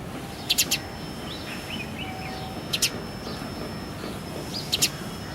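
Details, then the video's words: House sparrow calling in the early morning, filmed with a handycam; short sharp doubled chirps come about every two seconds, with faint softer twittering notes between them over a quiet hiss. "house sparrow sound effect"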